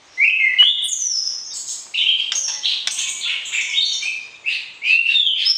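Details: Breeding-pairing session for white-rumped shama, calls meant to stir the opposite sex: clear whistled notes opening into dense, fast, warbling phrases that rise and fall, pausing briefly twice before resuming.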